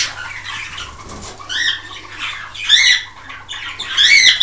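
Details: Male common quail calling to his hens with harsh, buzzy, high-pitched calls in short bursts, roughly every second or so, over a faint low hum.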